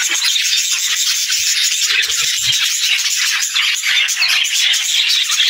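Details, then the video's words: Fast, rattling chatter of budgie chirps and squeaks, tightly packed and steady throughout. "Cute Budgie Sounds"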